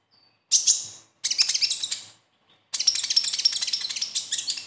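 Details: Besetan song of the kolibri ninja or konin sunbird: three very high phrases, two short twittering bursts then a longer, continuous stream of rapid sharp chips. Used to coax reluctant caged konin into song.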